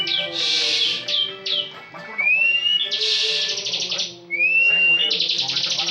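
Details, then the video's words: Bar-winged prinia, a national contest champion bird, pouring out ngebren song: broad buzzy bursts alternating with thin rising whistles, trills at times running long without pause. "Ciblek ngebren full"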